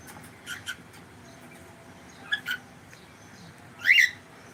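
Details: Cockatiel kept as a pet, making a few soft chirps early on and then a louder rising harsh squawk near the end, over a low indoor hum.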